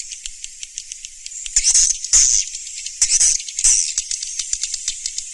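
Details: Surya Mentari style swiftlet sound, 2019: steady ticking high chatter that breaks into four louder buzzy, hissing bursts midway.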